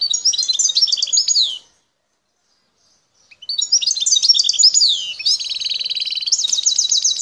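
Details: Wild Algerian goldfinch singing in the El Tarf region, Bouteldja sector: bursts of quick tinkling, twittering high notes, a silent gap of over a second, then resumed twittering leading into fast buzzy repeated-note trills.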